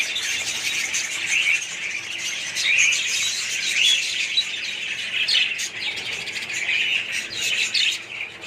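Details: Dense warbling and chirping from a budgerigar colony, individual whistled notes rising above the constant chatter, easing slightly at the very end.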